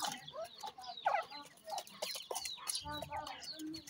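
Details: Grey francolin chicks calling in a brisk, overlapping stream of short chirps and downward-sliding peeps, punctuated by clicks and a low rumble near the end.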